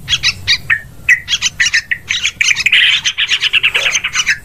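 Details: Sooty-headed bulbul calling, a recording used as a lure for hunting birds: rapid series of sharp, scratchy chirps and short bubbly phrases, repeated several times a second, building into a denser chatter near the end.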